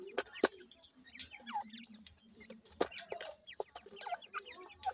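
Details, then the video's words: Grey francolin (teetar) chicks: many short, thin peeping notes, often downward-sweeping, scattered irregularly through the clip with overlapping calls; a low steady hum underneath and a few sharp clicks. "partridge birds chicks, best teetar babies, dakhni teetar babies"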